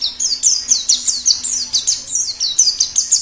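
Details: Wild white-eye singing in the plengi ngalas style. A rapid, continuous chain of high, thin whistled notes, each sliding downward, pours out almost without pause. A faint low hum sits in the background.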